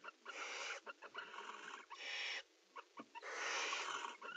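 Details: Barn owls in a nest box at mating time: scratchy, stuttering twitters and clicks run into longer rasping hisses, with one loud, sustained screech near the end.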